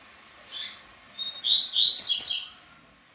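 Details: Female double-collared seedeater: a short sharp chirp followed by a bright, high, slurred warbling phrase of several quick notes lasting over a second, with no other sounds.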